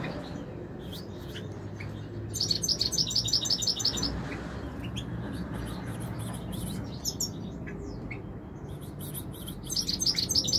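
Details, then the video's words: European goldfinch song in Morocco: runs of fast, high, twittering and tinkling notes in bursts separated by pauses, over a steady low hum of background noise. "تغريد طائر الحسون الملكي 2021 / jilguero chant chardonneret"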